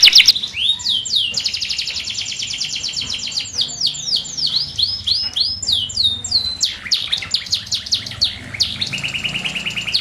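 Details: Canary singing in the morning, used to coax silent canaries and young canaries into song: loud, fast trilled phrases of rapid repeated high notes, switching between rolling trills and sweeping whistled notes, continuous throughout.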